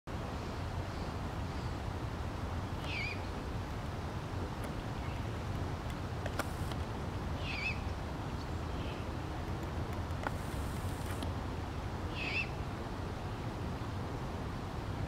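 A young great horned owl gives short, raspy hissing screeches, one about every four to five seconds, over a steady low rumble of wind or distant traffic.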